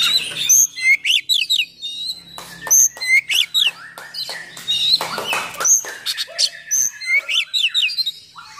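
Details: Rich oriental magpie-robin song with coarse filler notes, for luring and training other magpie-robins; clusters of sharp clicking chips and quick whistled upslurs repeated in short bursts, with a faint low hum underneath.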